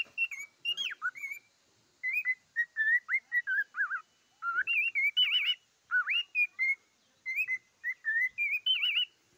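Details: Cockatiel sings a long run of clear whistled notes in groups, with level tones, downward slurs and quavering warbles, each group separated by short pauses, in a quiet indoor setting.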